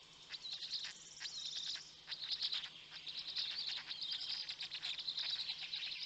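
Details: Black stork parent feeding storklets at their nest in Notecka Forest, Poland, early morning in May 2020. Thin, high chirps and squeaks stream out in quick, uneven bursts with barely a pause.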